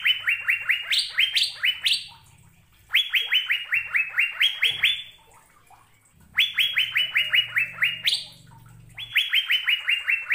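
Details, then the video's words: Asian fairy-bluebird singing vigorously: four bursts of clear, sharp whistled notes, each falling slightly and repeated about five per second, phrases rising at the end, separated by short pauses; faint low hum underneath. "Burung Sorga Cucak Biru Sedang Bernyanyi Gacor"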